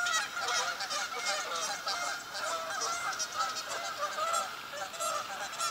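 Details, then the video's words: Flock of geese flying into a park at sunrise in Godfrey, Illinois, October 2019; dense chorus of overlapping nasal honks, steady and continuous throughout. "Geese sunrise fly-in"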